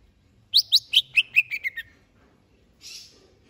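Greater green leafbird singing a quick run of about eight clear whistled notes that slide down from high to middle pitch, then a brief harsh rasp.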